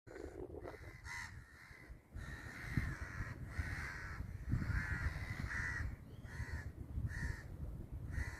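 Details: Crow cawing: harsh, raspy caws repeated through the recording in short bursts, some in quick pairs, over steady low rumbling background noise.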